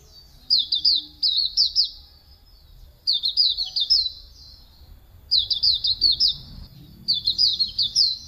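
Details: Hume's white-eye (auriventer white-eye) singing, recorded for training cage birds: four bursts of bright, rapid twittering, each under two seconds and repeated after short pauses.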